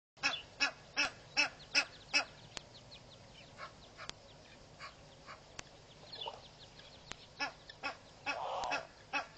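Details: Egyptian goose couple at Pete's Pond, Mashatu Game Reserve, Botswana, in January, keeping the area clear for their goslings: a quick series of harsh, nasal honks, about eight in two seconds, then scattered softer calls and a low grumble near the end.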